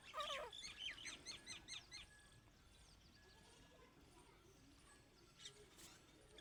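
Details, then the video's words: Grey francolin (teetar) at evening gives a quick burst of loud, harsh, ringing notes for about two seconds, then fades into a quiet background with faint chirps from other birds. "teetar sound"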